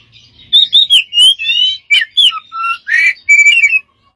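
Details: Smart bird giving strange varied sounds: whistled slurs, buzzy drawn notes, short low whistles and a harsh burst, run together over about three seconds.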